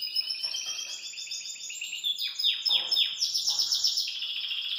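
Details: Belgian canary singing in a cage with lively energy: rapid buzzy trill shifting into a few sharp descending chirps, then a bright, fast rattling phrase, all high and continuous.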